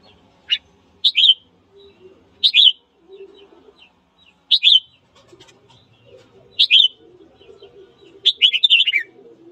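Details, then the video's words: Red-whiskered bulbul singing in the morning, a recording used to stir up other birds to fight; short loud whistled phrases with a slurred twist, roughly every one to two seconds, separated by quiet gaps, with soft low chatter beneath. "Luyện giọng chào mào hót sáng kích bổi đấu"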